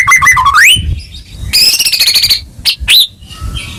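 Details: Caged white-rumped shama song played to stimulate a bird that has stopped singing; whistled phrase sweeping upward, then a long buzzy rapid trill, followed by two sharp high downslurred notes.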